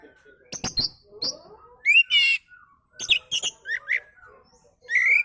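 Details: Oriental magpie-robin song for luring other birds: scattered sharp clicks, a buzzy rising burst, and short upslurred whistles separated by brief gaps.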